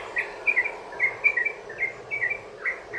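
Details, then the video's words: Sooty-headed bulbul long rolling song used to prompt other bulbuls to sing: spaced bursts of bright chirps in short groups with brief pauses, over a steady background hiss. "trucukan ROPEL PANJANG buat pancingan burung trucukan agar bunyi jadikan trucukan gacor NYAUT"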